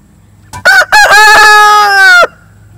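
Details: Hungry egg-laying chickens on a Nashville farm waiting for feed; a loud rooster crow opens with two short choppy notes, then holds one long harmonic-rich note for about a second and a half before stopping abruptly.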